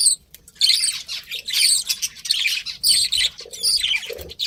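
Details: Breeding pair of pet budgerigars chattering almost without pause: scratchy, buzzy warbles and sharp high chirps in rapid overlapping bursts, with a few brief lower squeaks near the end.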